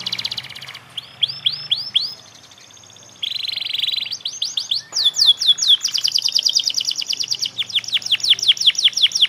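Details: Panda canary, a young bird practising its song: a run of high upward-sweeping whistles, a dense buzzy trill, then rapid repeated rising sweeps that grow louder, clear and dominant throughout.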